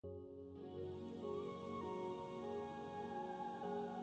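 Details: Soft ambient new-age music with sustained, slowly shifting tones throughout, and no animal voices.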